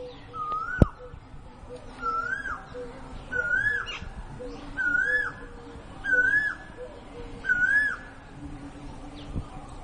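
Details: Multicoloured woodpecker in a rose garden in Ludhiana; a slurred whistled note rising then falling, repeated about every one and a half seconds in five phrases with faint high overtones, over low background hum and a few sharp knocks.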